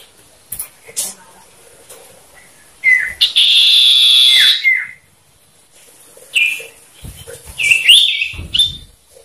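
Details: Male common iora in a one-on-one duel, varied 'ngetir meriwit nyipow' singing meant to provoke other caged ioras. A long, steady, high whistled note swells for over a second between shorter slurred whistles and soft clicks.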